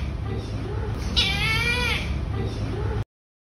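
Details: A wild Brahminy kite that visited on 22 December asking for food, and was then fed fish twice daily, gives one drawn-out, wheezy, quavering mew of under a second, over a low rumble and faint music.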